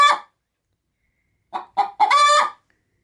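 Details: Hen preparing to lay an egg in a food sack, cackling when approached: a brief cluck, silence, then two quick clucks and a harsh stretched squawk.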